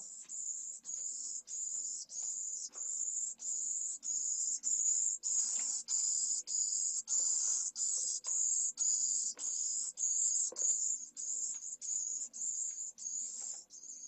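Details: Pallid swift chick of a second brood, only hours old, begging vigorously to be fed during its first feedings at a nest in Jerez de la Frontera, Spain, in 2022. Thin, very high hissing notes repeat in a steady stream, about one every 0.6 seconds.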